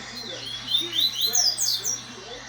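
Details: Papa-capim, or double-collared seedeater, responding to tournament song played back on a phone. A fast string of thin, high whistled notes sweeps up and down over a couple of seconds against a faint low hum.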